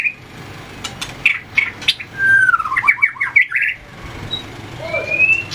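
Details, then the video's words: White-rumped shama training its fighting song, tail flicking and hopping between perches: sparse whistled notes, a short cluster of quick chips, and a faint upslurred whistle, over low background noise. "luyện chòe lửa hót đấu,đập đuôi chạy cầu"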